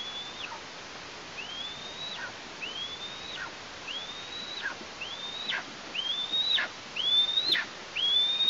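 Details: Juvenile female Eastern imperial eagle heard near the nest in Tatarstan on 17 August 2023, after fledging on 14 August; thin, upslurred whistled calls, each ending in a drop, repeated about once every 1.2 seconds, growing louder.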